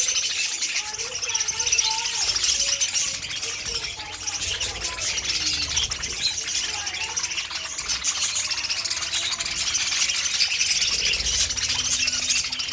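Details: A group of pet parakeets in an aviary produces a long, unbroken wash of high twittering and warbled chirps, with a few soft whistled notes.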